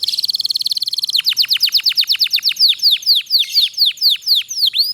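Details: Canary singing a long roll to prompt quiet canaries to sing; a rapid buzzy trill opens, followed by evenly paced, clear downward-sweeping whistles several per second.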